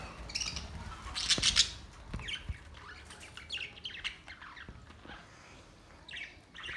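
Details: Budgerigars chattering on May 29, 2023, with rapid high chirps and scratchy squawks in irregular bursts, one louder cluster early on, then softer scattered warbling notes.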